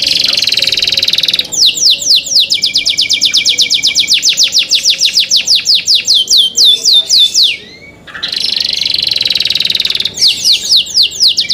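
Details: Canary singing in cenkok style: a long high buzzing trill, then a run of rapid downward-sweeping whistled notes repeated about four per second, a brief pause, and another buzzy trill followed by more sweeping notes.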